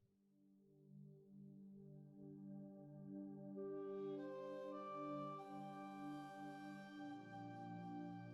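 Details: Soft ambient organ-like music with sustained low chords, swelling as higher bright tones join midway; no animal voices.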